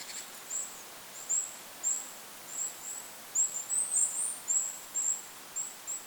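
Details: Goldcrest calling in forest over a lake, tiny high-pitched tsee notes spaced about half a second apart, bunching into a quicker cluster midway, with light wind noise.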